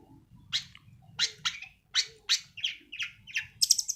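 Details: Young long-tailed shrike, still moulting and kept as a prospective contest singer, gives a 'sembur' burst of harsh, scratchy chirps at an uneven pace, ending in thin high squeaks.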